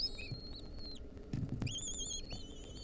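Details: Nestling lesser kestrels, wild, squealing for food as their mother feeds them a mouse: several high drawn-out whines with downward and rising bends, a brief knock midway, low rumble throughout.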